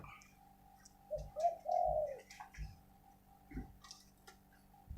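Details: Decoy spotted dove cooing once: a short coo then a longer, slightly wavering rolling coo, followed by scattered clicks, taps and faint background noise.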